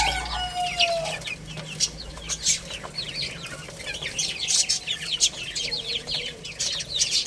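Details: Chicks chirping as they play and eat: a lower falling whistle at the start, then a thick wash of rapid high peeps and scattered taps.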